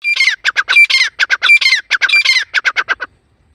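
Grey francolin giving a loud, harsh, rapid series of about fourteen scratchy notes in three seconds, with pitch rising and falling through the run. Nothing else is heard.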